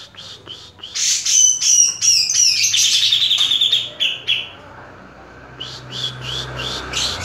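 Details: Caged grey-cheeked bulbul singing a fast, energetic run of high chirps and bright whistled trills, some notes sliding downward, then a short pause before a fresh burst of quick repeated chips.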